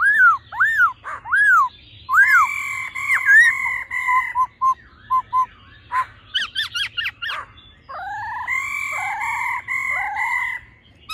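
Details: Laughingthrush pair, male singing in 'old forest voice' style beside the female's calls: looping whistled notes, sustained level whistles, a run of short clipped notes and quick rising chips, then long falling whistles.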